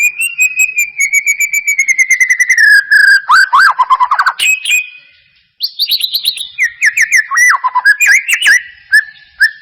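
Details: White-rumped shama song for stimulating singing: a long slowly falling whistle over fast chirping, a burst of warbled loops, a short pause, then ringing downslurred notes and varied whistles.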